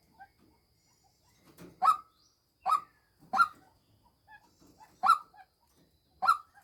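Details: A female white-breasted waterhen kept as a decoy gives loud, harsh, nasal croaks at uneven intervals of roughly one to one and a half seconds. Faint short notes fall in between, with little other sound.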